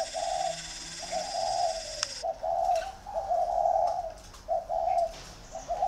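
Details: In Ba Vì, Vietnam, two spotted dove decoy birds compete; loud repeated husky coos come roughly once a second, a high hiss fading out early on.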